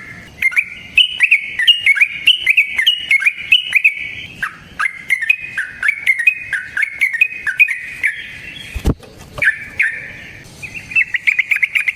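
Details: Yellow-vented bulbul recorded in the wild, its long energetic song used to bait other bulbuls into singing: extended stream of fast, warbling whistled notes, one sharp knock near the end, then the chatter resumes.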